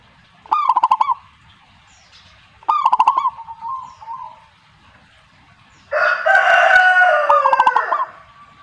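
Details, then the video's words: Zebra dove song: two bright cooing phrases of rapid staccato notes, each ending in a drawn-out coo, answered by fainter cooing. A loud, harsh, crow-like burst overlaps a final phrase near the end. "suhu perkutut jika nyaut Burungmu bagus berarti"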